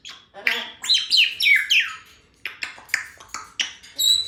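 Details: Female Congo African grey parrot kept as a pet at a country home, chatty early on a Sunday morning. She gives a run of whistled, sliding and squawky notes, some falling in pitch, then shorter sharp chirps.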